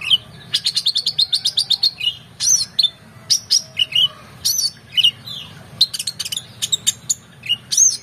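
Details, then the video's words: Excited oriental magpie-robin singing a full, richly varied song as a tutor for contest birds: a rapid string of about a dozen even chirps, then a lively mix of sharp whistles, trills and scratchy notes, over a faint low hum. "KONIN GACOR EMOSI FULL BONGKAR ISIAN MEWAH‼️Cocok Untuk Masteran Burung Lomba"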